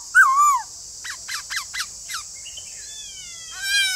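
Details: An opening loud, wavering downward whistle from a white-cheeked laughingthrush, then a run of faint short notes and soft drawn-out whistles, with background hiss throughout.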